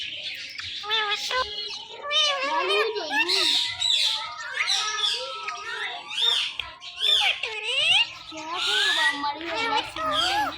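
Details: Several pet Indian ringneck parakeets chattering together, described as talking and saying Mittu; dense overlapping squawks, harsh high calls and wavering speech-like phrases running without pause.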